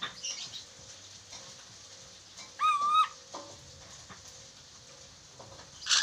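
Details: Chattering lory on a talking-training recording: a single loud, rising, harmonic-rich call in the middle of mostly quiet hum, with faint short sounds at the start and end.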